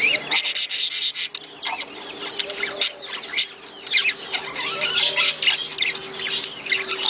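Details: Mating sounds of budgerigars intended to prompt breeding: busy, high, squeaky warbling with sharp clicks and squawks, loudest at the start, over a faint low hum.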